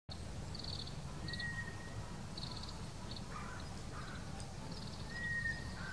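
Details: Scaly thrush in Tohoku, Japan, gives thin, drawn-out monotone whistles, each about half a second long, several seconds apart, over a steady low rumble with faint chirps from other birds.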